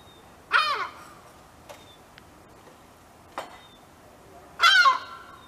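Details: A European herring gull gives two harsh, ringing screams about four seconds apart, each with a falling tail, alerting nearby gulls while protecting its chick on the ground; faint clicks in between.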